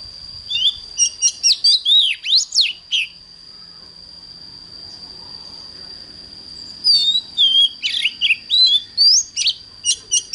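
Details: Oriental magpie-robin morning song, the fiery 'căng lửa' style: two bursts of quick, sharp whistled and chirped notes, the first around two seconds long, the second after a four-second gap, over a steady high-pitched whine.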